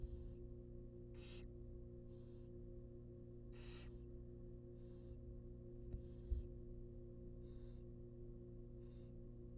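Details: Wild barn owl nestlings in a monitored nest box, being fed a rabbit: rasping, hissing snore-like bursts repeated about every second or so, each under half a second, over a steady low electrical hum.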